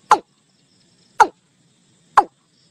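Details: A Watercock recording played to call a flock into a net: three short, hollow knocking notes about a second apart, mid-pitched and abrupt, against a faint low hum.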